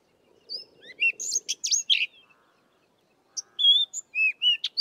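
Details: Sabota lark singing in the southern Karoo, with little mimicry: two bursts of varied, melodious phrases mixing short whistled notes, buzzy chirps and descending slurs, separated by a pause of about a second.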